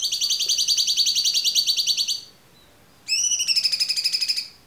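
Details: Cucak cungkok producing two extended rapid rattling trills, the second opening with a rising swoop, each lasting one to two seconds, recorded cleanly with almost no background.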